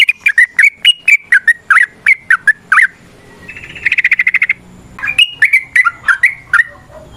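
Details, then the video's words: Varied 'ropel' song of a sooty-headed bulbul, played as a lure to get other bulbuls singing: quick bubbly chirps, then a fast buzzy rattle mid-clip, followed by more lively chirped phrases. "Suara Burung TRUCUKAN gacor ROPEL VARIASI NROTOK NGECUPLIK pancingan trucukan agar JADI trucuk GACOR"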